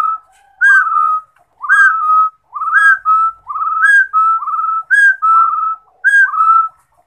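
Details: Rufous-throated partridge repeating its whistled phrase about once a second, a bright high note gliding into a lower, gently rising whistle, eight phrases in seven seconds with no background noise.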